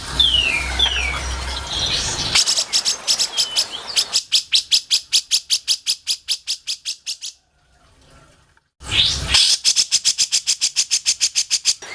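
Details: Grey-cheeked bulbul, for song training. Brief high slurred whistles lead into long fast runs of sharp, chattering high notes, cut by a silent gap before another rapid run.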